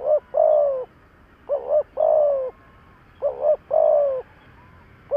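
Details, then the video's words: Decoy spotted dove cooing to excite wild doves: three phrases, each a short wobbling double note then a long steady coo that drops slightly at the end, evenly spaced against quiet background. "Cu gáy thúc gáy kích bổi tập mồi cực nhạy"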